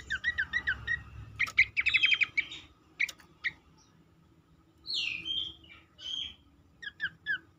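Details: Lure recording of a black-capped babbler (cingcoang) meant to make other birds sing: rapid stuttering chatter and trills early on, then separate slurred, whistled phrases and brief chirps with pauses between.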